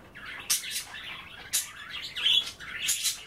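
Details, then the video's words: Pet budgerigars chattering indoors while nibbling kale in water at bath time; harsh, scratchy bursts mixed with squeaky warbles, loud broadband squawks roughly every second, small room echo. "A day in the life of a Budgie - kale bath and chattering"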